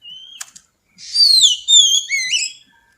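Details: Brief phrase from a female Oriental magpie-robin singing xùy to stimulate males: a thin whistle and click, then loud descending and rising whistled slurs.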